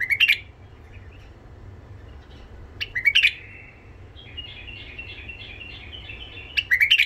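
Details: Iraqi white-eared bulbul, tame and rough-voiced, singing to tutor young bulbuls: short bright phrases of rising slurred notes separated by pauses, with a quiet wavering warble in the middle.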